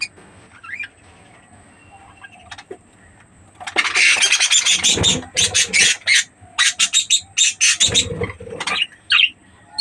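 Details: Budgerigars in a breeding setting: near silence with a faint hum, then a burst of squawky chatter and quick raspy chirps in irregular clusters.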